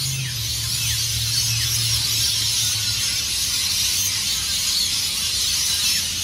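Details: Massed rainbow lorikeets, hundreds strong, leaving tall Norfolk Pines at Burleigh Heads, Gold Coast, Australia, before dawn; a bright, hissing screech chorus with faint falling notes, while low steady piano-like tones sound underneath.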